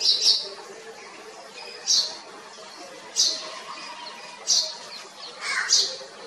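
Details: A house sparrow in Kotte, Colombo District, Sri Lanka, gives short, bright chirps, about five in six seconds at an uneven pace, over a soft murmur of background noise.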